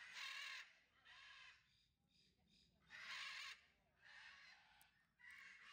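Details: A citron-crested cockatoo (Cacatua sulphurea citrinocristata) at a bird park in Leicestershire, eating wood, gives five loud, harsh, grating screeches, each about half a second long, roughly one per second.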